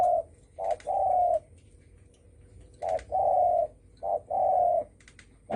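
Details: Spotted dove calling in the thổ sấm style, meant to provoke other doves. Three phrases, each a short coo followed by a long, smooth, slightly falling coo, come about a second and a half apart over near-silence.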